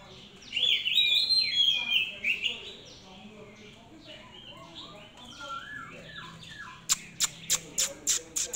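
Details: An Oriental magpie-robin sings varied whistled phrases, rich and warbling, sliding up and down, then gives a burst of about eight sharp clicks repeated quickly near the end.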